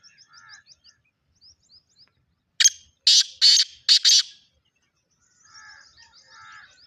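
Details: A single grating black francolin phrase of five harsh notes in the middle, with faint twittering from small birds before and after it.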